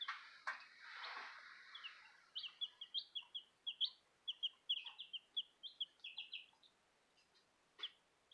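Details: Bielefelder chicken chicks peeping: a rapid series of high, short peeps, about two to three per second from the third to the seventh second, after a softer broadband rustle at the start and a few scattered clicks near the end.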